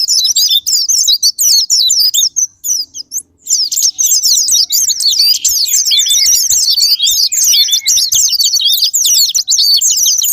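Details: Japanese white-eye lure recording to trigger singing: dense, very high, rapid twittering that falls briefly quiet after the first few seconds, then returns as a busy, chattering warble with a faint low hum beneath.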